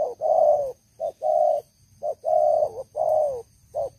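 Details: Old decoy spotted dove with a big voice cooing steadily: short clipped coo followed by a drawn-out, slightly descending hoarse note, repeated several times in a few seconds.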